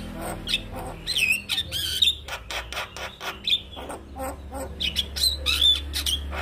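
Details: ['Singing male Javan myna, recorded as a tutor for other mynas to learn from, gives a dense run of harsh scratchy bursts broken by thin high whistles, over a low background hum.']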